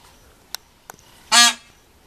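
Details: A peacock right outside a hotel room, which the speaker guesses may be giving a mating call, gives one short, loud, nasal honk, rich and brassy, after two faint clicks in an otherwise quiet setting.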